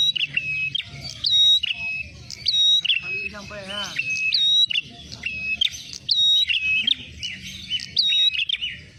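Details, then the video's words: Ashy tailorbird, a lure recording for trapping. Loud whistled chirps with sharp upward and downward inflections repeat in quick irregular bursts throughout. A short buzzy rattling note from another sound appears in the middle. "jitu pikat prenjak merah suara pancingan"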